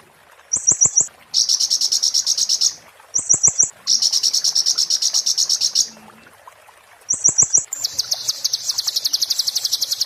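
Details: Oriental white-eye (konin) in 'muntah beling' style, kept as master song for magpie-robins to copy: short bursts of three or four sharp high notes, each followed by a dense, fast buzzing trill lasting one to two seconds.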